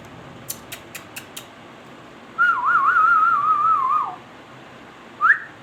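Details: Indoor ringneck parrot: four quick clicks, then a long tremulous whistle wobbling rapidly around one pitch for more than a second and falling at its close, followed by a short rising whistle.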